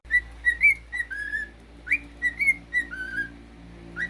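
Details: Pet cockatiel whistling: short, clear, mid-pitched notes, some sliding up or dipping, given in loose uneven bursts over four seconds against a quiet indoor background with faint low hum.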